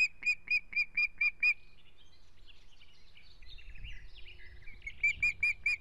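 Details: Ospreys at a nest in Estonia on 17 June 2017, where week-old chicks struggle for dominance. Clipped, whistled chirps repeat in a quick series about three per second, a softer quiet stretch follows, then the chirps resume.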